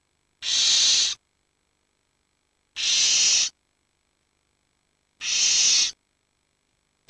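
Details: Barn owl nestlings, the eldest 19 days and the youngest 7, huddled while the parents hunt; three evenly spaced breathy hisses about two and a half seconds apart, with clean silence between them.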